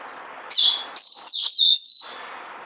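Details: Short phrase of four loud, high whistled notes from a bird, each sliding downward and running into the next, followed by a quiet spoken thank you.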